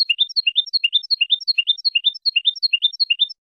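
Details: Spanish goldfinch song from a tape for teaching young birds: a clear, repeated motif of rising two-note chirps followed by a higher thin note, cycling roughly every half second, clean with no background.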